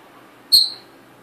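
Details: Indoor hand-raised pearl cockatiel calls once: a sudden high, thin chirp with a bright attack and short fading tail, the room otherwise quiet apart from a soft hiss.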